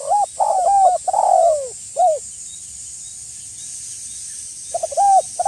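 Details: Spotted dove lure call for drawing in wild doves and answering rivals, Indonesia: a quick series of mellow coos ending in a drawn-out falling note, a silence of about three seconds, then coos resume, all over a faint high hiss.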